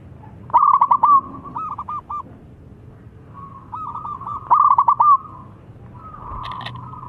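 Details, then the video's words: Crystal-voiced zebra dove, a lure for lazy singers, giving repeated bursts of quick rolling coos and drawn-out cooing notes, with a brief knock near the end. "Perkutut Idaman Selau Menjadi Incaran Suara Kristal Cocok Jadi Pancingan Yang Malas Bunyi"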